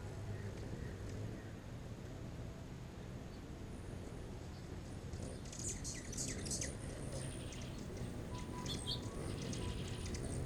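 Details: Hummingbirds feeding at a nectar feeder behind a house in the morning, squabbling over the nectar; quick high, thin chips and twitters come in a scattered burst through the second half over a steady low background rumble.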